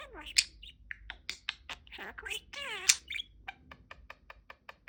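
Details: Talking pet budgie chattering its cute "peek-a-boo" phrase: rapid squeaky syllables, a couple of sweeping whistles, then a run of sharp clicks trailing off at the end.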